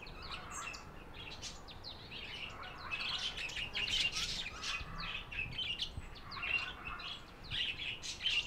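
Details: Soft, continuous budgerigar warbling and twittering, many quick high chirps overlapping in a steady stream without pause.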